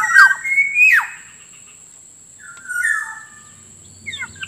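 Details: Black-naped Oriole lure call: liquid whistles rising into a sharp, swooping downslur, a pause, then a mellow falling fluty phrase and a few short chattering notes at the end, with a constant faint high tone.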